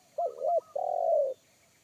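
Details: Wild spotted dove in forest with a deep, bass 'kuk satu' voice that made a trained lure dove shy away; one phrase: a low wavering double coo, then a long steady hooting coo, with faint soft stuttered notes above.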